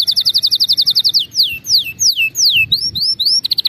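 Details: Training song for canaries: a rapid trill of short bright notes, then slow slurred whistles swooping downward, upward-flicking notes, and another fast trill to finish.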